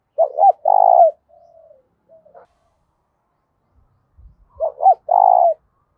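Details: Spotted dove fighting or challenge cooing, loud and ringing: a phrase of two rising notes and a long vibrating coo, soft notes, a pause with low thumps, then the phrase again.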